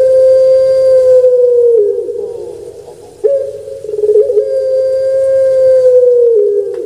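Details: Two extended coos from a kept puter pelung dove of Indonesia, each a loud sustained hum lasting about two seconds that bends down at the end, separated by a quieter rough gurgle.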